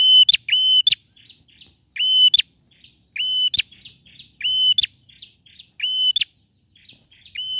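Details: Male bar-winged prinia in full song, meant to lure a silent bird into singing: steady high whistles closing with quick rising flicks and brief buzzy trills, phrases coming roughly every second in a clean recording.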